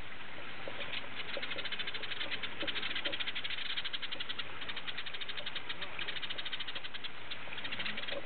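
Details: Flock of house sparrows at Opole Zoo chattering constantly, with quick chirps repeated in fast overlapping bursts throughout. The sound is dull and muffled, over a low rumbling background.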